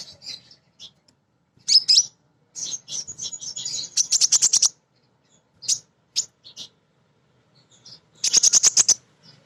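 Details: Female Crimson Sunbird song, used to lure birds into singing. Sharp high chirps lead into fast buzzy rattling trills, followed by a pause, a few chirps, and a final rapid rattle.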